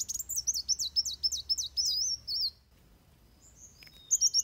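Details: Fighting song of Van Hasselt's sunbird for tutoring captive birds: a quick run of sharp high zigzag notes and a wavering whistle, then a pause with faint distant chirps before the chatter resumes.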